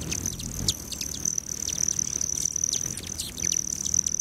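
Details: Morning hummingbirds at feeders near the southern edge of Great Sand Dunes National Park, Colorado, July 29; a loud, steady high-pitched buzzing trill runs almost throughout, dotted with brief sharp chips.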